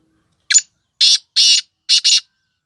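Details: Female black francolin (kala teetar) voice, used to excite male birds: a short sharp opening note, then three loud rasping, buzzy bursts, the final one doubled, close and clear with no other sounds.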